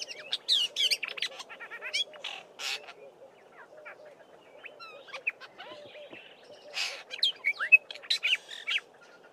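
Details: Black-bellied starling singing and mixing in mimicry of a Fork-tailed Drongo and other local birds. Bursts of varied high chirps, whistles and buzzy rasps arrive in quick clusters, separated by short pauses, with a soft hum underneath.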